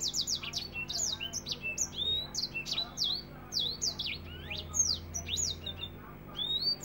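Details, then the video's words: Rapid-fire 'nembak rapet' song of an African finch, kept as a tutor recording: steep falling whistled notes packed closely in quick bursts, a few rising slurs between, steady low hum in the background. "Masteran African finch nembak rapet"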